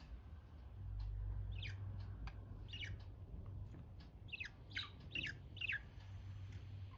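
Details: Budgerigars giving a run of quick, bright downward-sweeping chirps, loosely repeated about twice a second in the second half, against a steady low background hum.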